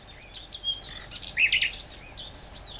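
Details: Great reed warbler song: a burst of loud, harsh chattering notes that rises to a peak mid-phrase, set against faint thin whistles from other birds in the background.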